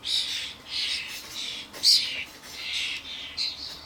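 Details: Common starlings (Sturnus vulgaris), adults and fledglings at a garden bird feeder, many birds, camcorder recording: near-continuous smeared chorus of wheezy, hissing squawks, with one sharper louder screech near the middle.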